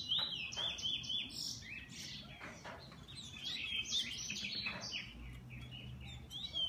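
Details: Pet bullfinch giving soft, high twittering and rapid warbled notes among frequent clicking and rustling sounds.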